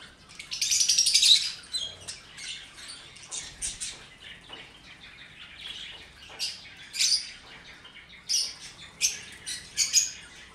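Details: A pair of lovebirds kissing, dancing and cuddling give sharp, high chirps in irregular bursts, several each second, with short quiet gaps between the louder clusters.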